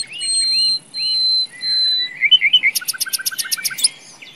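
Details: Common nightingale in a forest sings three long, pure, sustained whistles on one high pitch, then quick rising slurred notes and a fast series of hard, clicking repeated notes, clear against a quiet background.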